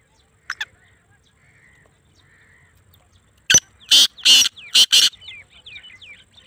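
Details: Sindhi black francolin (kala tetar) from Pakistan: a brief faint note, then four loud, harsh, grating bursts in quick succession, followed by soft rising chirps fading out.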